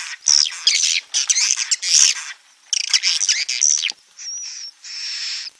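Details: Swiftlet roosting call: dense bursts of high, buzzy twitters and dry clicks, each about a second long, ending in a thin, steady, whistled trill.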